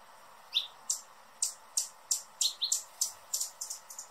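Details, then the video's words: Hummingbird calling with a lively series of sharp, high-pitched chips, some with lower squeaky tails, coming about three per second over four seconds. "Hummingbird sounds in 2021 | Calls and Song"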